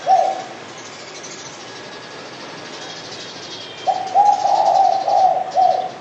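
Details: Spotted dove, called derkuku, giving a short coo at the start, then after a pause a run of low, smooth cooing notes that join into a broken phrase near the end.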